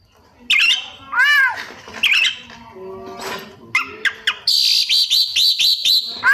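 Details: White-rumped shama mimicking other birds: harsh squawks and nasal arched notes, then a fast run of high whistled chips repeated several times a second, ending in a squawk.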